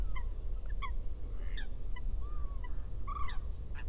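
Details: A Eurasian coot gives short, nasal, honking notes about every half second, with one drawn-out, slightly rising note, over a steady low rumble.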